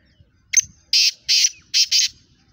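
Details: Black francolin, the speeder Kala Teetar of Pakistan. Its phrase opens with a clipped sharp note, then four loud scratchy bursts come in two pairs over about a second and a half. Faint rustling sits underneath.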